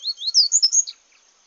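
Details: Seedeater (papa-capim) singing in the bush: a quick run of high, sweet whistled and slurred notes, several rising then falling, packed into under a second, then quiet.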